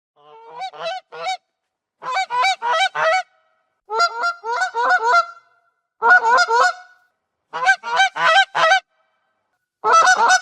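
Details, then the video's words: Goose giving loud, resonant honks in quick bursts of three to five nasal notes, each burst about a second long, separated by short silences, repeated six times; clean recording without other sounds. "SOM DE GANSO"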